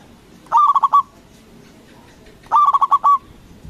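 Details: Local zebra dove with a strong voice, calling to stir rival doves into answering; two evenly matched phrases of rapid clipped coos two seconds apart, the second slightly longer, against a quiet background.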